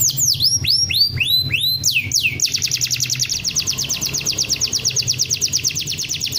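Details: Champion canary master song: several loud, looping whistles sweeping down and up, then a long, even, rapid trill of high clipped notes, with a faint low hum beneath.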